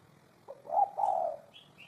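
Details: One low, soft coo phrase from a spotted dove, a quick lead note and then a drawn-out hollow tone, followed by two faint high chirps from another bird.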